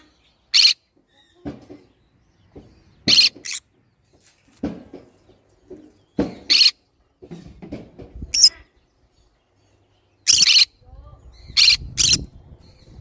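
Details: Repeated short, raspy green-cheeked conure screeches, some doubled, interspersed with clicks, thumps and softer scratchy sounds over about thirteen seconds.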